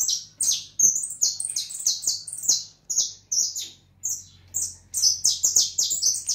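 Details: White, leucistic European goldfinch singing a lively stream of rapid, high, tinkling twitters and buzzy chirps in quick bursts, with brief gaps between phrases and a faint low hum behind.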